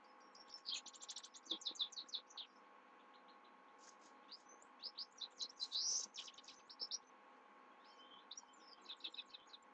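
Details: Sustained night song of a Himalayan goldfinch, long runs of rapid, high twittering chirps, buzzy trills and bright whistled notes in several bursts over a low steady hum.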